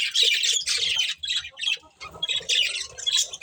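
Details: Budgies kept as a breeding pair squawking and chirping in harsh, noisy bursts of about half a second, with a short quieter gap before the chatter resumes.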